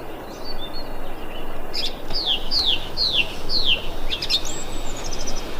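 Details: Thrush calling on 25 February 2021, giving a quick run of five clear downslurred notes, each dropping in pitch, spaced about half a second apart, then a thin high whistle, over constant low rumbling noise.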